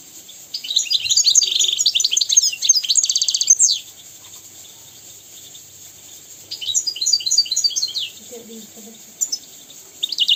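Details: European goldfinch song used to teach young goldfinches and canaries to sing: rapid bursts of high, twittering, tinkling notes with trills, pausing between phrases, over a faint steady hiss.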